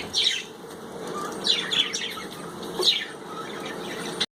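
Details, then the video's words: Bathing budgies let out a few scattered, sharp high chirps and brief twittering notes against steady background hiss, with faint wing flutters between calls. "Birds are chirping noise & enjoy their bath"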